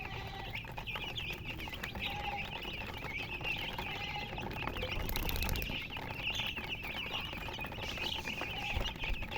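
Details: Colour chickens keep up continuous shrill chirping, many quick high peeps overlapping at once, with a brief rustling burst of noise near the middle and faint low background hum.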